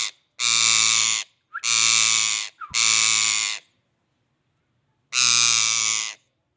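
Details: Rose-ringed parakeet screeching: loud, harsh, grating cries, each lasting nearly a second. Three come in quick succession, then a pause of over a second before a fourth follows.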